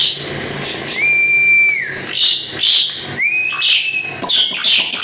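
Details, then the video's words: Vigorous song of an Asian pied starling kept to teach other birds: two long, pure, flat whistles, each swelling in and sliding off, separated and followed by short raspy, hissing notes. "JALAK SUREN GACOR"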